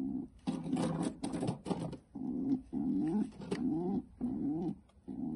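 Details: Pet pigeons grunting while a female defends her nest indoors; a run of low, buzzy grunts in quick succession, some with wavering pitch, separated by short gaps, with rustling noises.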